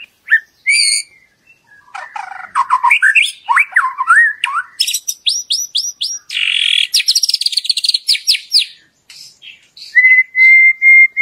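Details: White-rumped shama song used as a lure to make other shamas sing loudly and show their full repertoire: varied, rich phrases of whistles, buzzy rising notes and rapid chattering bursts, ending in a repeated steady whistled note.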